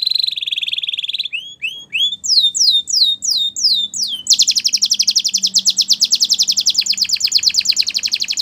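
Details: Belgian canary song meant to teach young canaries, opening with a buzzy trill, then a series of falling whistled slurs, then a long fast rolling trill repeated about three times a second.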